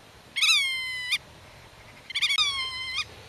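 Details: Black-tailed godwit defending its nest and territory while talking to young hidden in the grass: two loud, nasal, slightly falling calls, each drawn out under a second, the second with a quick stuttered start; quiet background.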